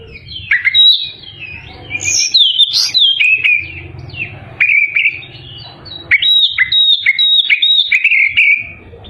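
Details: Oriental magpie-robin singing vigorously to provoke rival birds, phrases of varied whistles and quick slurred notes delivered in bursts separated by short pauses.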